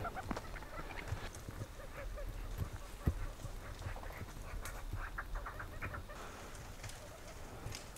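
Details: In the mid-winter freeze of Ladakh in the high Himalaya, several Tibetan partridges give overlapping, harsh, grating notes in quick, uneven chatter over a steady low rumble of wind.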